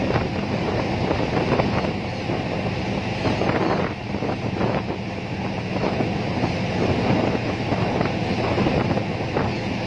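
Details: Strong wind buffets the microphone over a steady low rumble, with no animal calls heard.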